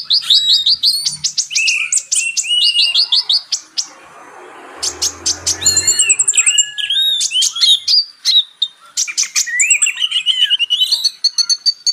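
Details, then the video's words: Kolibri ninja, the purple-throated sunbird, known as kolibri tasik in West Java and kolibri raja in Solo: bursts of fast, high, sparkling twitters and clipped chirps, with a brief hushed gap of soft rustle midway. "KONIN (Kolibri Ninja)"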